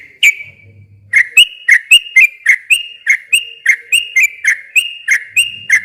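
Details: Yellow-vented bulbul in long, rapid lure song meant to provoke silent bulbuls into answering: bright whistled notes dipping and rising, about two per second, with a faint low hum early on.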